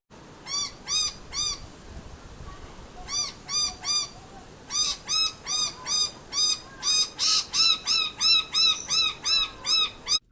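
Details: Noisy Miner giving its alarm call at a cat in an Australian backyard, midday on a hot 19 October: loud, harsh, repeated notes, two to three per second, in rapid bursts growing more insistent.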